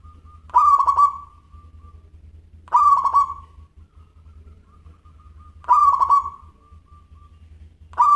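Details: Zebra dove, local type, in lively song with a clear, bright voice: three full phrases about every three seconds, each a burst of rapid, tremulous coos trailing off into a soft, level note, then a fourth starts. A faint hum continues beneath.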